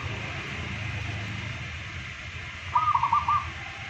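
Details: Local zebra dove singing, one of two birds compared: after near-silence, a single short phrase of four or five quick, rolling cooed notes at mid pitch near the end, over a steady low hum.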